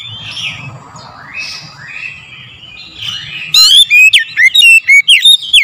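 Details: Oriental magpie-robin song in the morning, used as a lure: soft overlapping whistles and chatter for about three seconds, then a loud burst of sharp, clear whistled notes with quick rising and falling slurs, about eight notes in two seconds.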